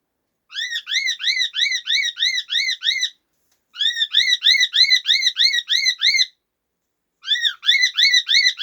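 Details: Cockatiels at morning song practice: bright, arched whistles repeated quickly in three short runs.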